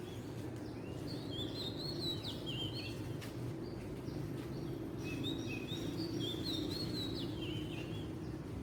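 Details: Wild Oriental magpie-robin, locally called kacer, gives two bursts of whistled song, each a string of short rising and falling notes, separated by a pause, with constant low ambient noise and a faint click.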